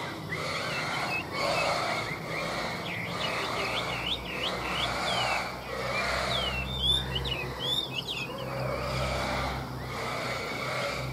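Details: Chinese hwamei kept for sale in Vietnam delivers two bursts of clear whistled song, each a rapid string of swooping, looping notes, separated by a pause, over a constant low-pitched hum and some hiss.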